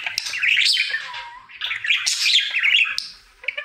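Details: Daily song of a happy male budgie kept as a pet: bursts of scratchy chatter and bright chirps, a low whistled note partway through, then denser squeaky warbling before trailing off.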